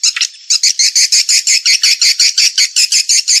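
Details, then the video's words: Swiftlet calling sound installed to attract swiftlets: sharp, high, buzzy chirps repeated very evenly, nearly three per second, after a short opening twitter. "RESPON BURUNG WALET SETELAH DI PASANG SUARA PANGGIL GRATIS"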